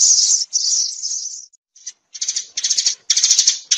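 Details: Sparrow flock call, a steady stream of high chirps that breaks off midway and then returns as choppy bursts of quick chatter.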